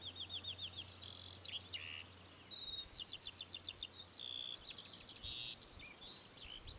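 Temminck's stint giving high, dry, rapidly repeated trilling notes in quick bursts, with a faint low hum underneath.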